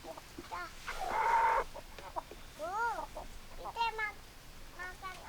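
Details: Domestic chickens heard as a farmyard group: short rising-falling clucks and squawks repeated through the clip, with one arched call near the middle and a brief louder noisy burst early on.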